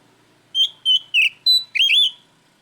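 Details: Oriental magpie-robin calling out a rival with five loud whistled notes in quick succession, some flat, some dipping, the last a twisting rising-falling phrase.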